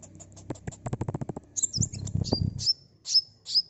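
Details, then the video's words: Sunbird sounds used as a lure for a quick response: a rapid run of low knocking or tapping, then high chirps and several sharp chips that slide down into thin whistled tails. "Suara asli kolibri pancing bahan cepat respon ngeplong"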